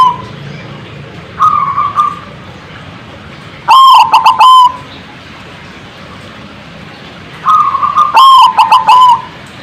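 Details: Zebra dove calls meant to provoke other birds to answer: a loud, clipped, stuttering phrase near one pitch, broken into quick rapid notes, given twice about four seconds apart, with fainter softer call earlier and quiet background noise.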